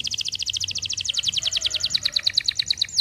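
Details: Canary delivering a fast, even trill of high, sharp pulsed notes, about ten per second, continuing steadily and sliding slightly higher toward the end, over faint background noise.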